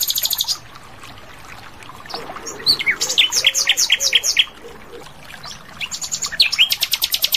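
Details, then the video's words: Wild Asian brown flycatcher singing in its natural habitat: a burst of sharp, high whistled and chirping notes in quick succession mid-recording, framed by a steady, rapidly pulsing insect-like buzz at the start and end. "Sikatan Londo Gacor Di Alam Liar"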